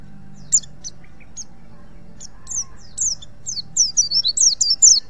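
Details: Song of a wild white-eye (pleci) from Pacitan, used to train other birds: scattered single high chirps that build into a dense, fast twittering phrase at the end.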